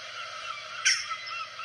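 A single short, sharp 'tchack' from a jackdaw, harsh and clipped, over a steady hiss of background noise.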